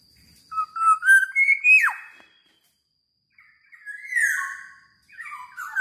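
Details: Black-naped oriole in the Philippines, a newly kept pet, giving two bursts of rich, fluty whistles, sliding and warbling in the middle range, with a pause of about a second between phrases.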